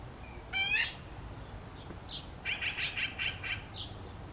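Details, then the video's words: Magpie chicks calling while preening and observing: one loud, harsh harmonic squawk, then a quick chattering burst of about eight rasping notes, with a few short, thin calls in between. "Magpie chicks calling"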